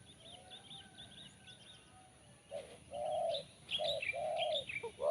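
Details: Spotted dove noted for a crisp, sharp voice. Chirping small birds fill the first half. Then deep drawn-out coos begin, with further bird chirps mixed in and a sharp final note.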